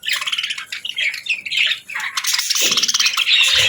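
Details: Pet budgerigars chattering in a dense, high-pitched warble of quick chirps and squeaky notes, overlapping without pause, with a few soft low thuds near the end.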